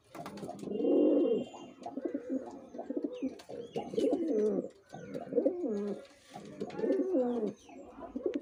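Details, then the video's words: A male pigeon gives deep, throaty rolling coos in bursts of one to two seconds, with faint chirps in the background. "Male Pigeon Super Performance || Pigeon Sound"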